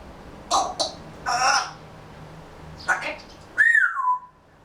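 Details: Indoor pet grey parrot murmuring quietly as it settles for a daytime nap, waiting for summer. Breathy, speech-like syllables lead into a sliding whistle that falls at the end.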